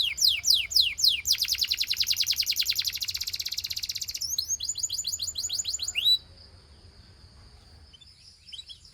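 A Gloster canary sings loud, high phrases: quick down-slurred chips, a fast rolling trill, then sweeping notes, ending in a thin drawn-out whistle over a faint hum.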